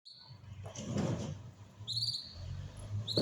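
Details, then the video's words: Songbird in winter, singing outdoors: short clear whistled notes with faint upper harmonics, one at the start, another near two seconds and a third at the end, over a steady low rumble. "Singer bird"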